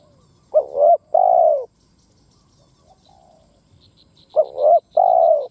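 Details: Decoy spotted dove, 'thúc gù gáy' calling to rouse other doves: two double coos, a trembling first note and a longer even second note, about four seconds apart, with faint high chirping between them.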